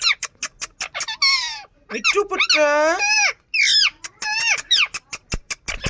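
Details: Indian ring-necked parakeet chattering: sharp rapid clicks interspersed with loud, harsh, drawn-out squawks of shifting pitch, one long grating screech in the middle.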